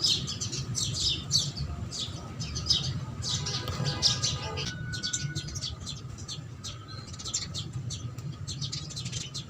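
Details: House sparrows chirping while feeding near houses: dense, fast, irregular high chirps overlapping throughout, over a steady low hum.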